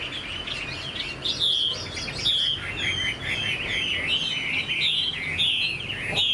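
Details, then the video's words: Chinese hwamei, young and caged, singing strong whistled phrases: rolling slurred notes alternating with clear, ringing sustained whistles. "Họa mi chuyền năm nay, cực kỳ tố chất, vẩy đuôi khướu, hót tốt"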